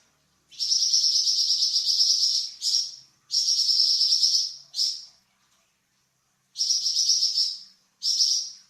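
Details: High, dense buzzy trills from a Flamboyan bird, a songbird kept for training other songbirds. Long rattling phrases alternate with shorter bursts, with a pause of over a second between groups.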